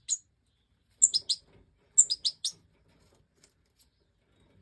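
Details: Breeding-season European goldfinch, Major form, 2024: two tight bursts of sharp, high twittering notes about a second apart, each of three or four quick chirps, then near silence with a faint thump at the end.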